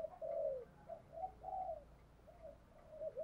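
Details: Spotted dove decoy calling for wild doves in the rainy season, 'thổ sấm' voice: a drawn-out falling coo, then shorter coos and a sustained phrase, repeated with gaps, fairly faint beneath steady background hiss.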